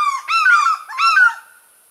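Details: Two quick, loud, falling yelps from an African fish eagle, bright and overtone-rich, about a second apart, fading into silence.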